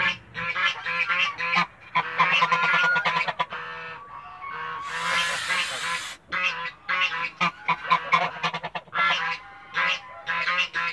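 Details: Backyard male goose defending its family, honking loudly in rapid nasal bursts, many short harmonic calls strung together with brief gaps. A harsh hissing rush comes near the middle.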